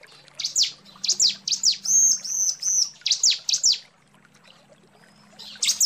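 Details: Female bar-winged prinia calling to the male: bursts of sharp, high, downslurred chirps in clusters, with a few brief drawn-out whistled notes around the middle, then a pause before a final burst.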